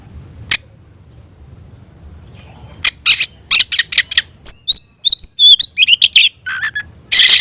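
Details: Oriental magpie-robin (kacer), kept bird, singing to challenge a rival to fight: after near silence, a rapid series of harsh rasping notes followed by bright twisting whistles and a final burst of chatter.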